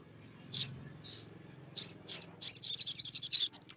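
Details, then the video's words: Challenge song of a sogon aimed at drawing a rival into singing: a few separate high chips, then a quickening run of bright, twisting whistled notes that rise and fall. "SOGON GACOR MEMANGGIL LAWAN, UNTUK PANCINGAN SOGON AGAR BUNYI"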